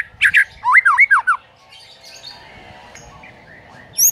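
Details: White-rumped shama song played as a morning lure for training a silent bird: a few sharp notes, then a run of rising-falling whistled slurs, fading into faint distant twittering and a brief high squeak at the end.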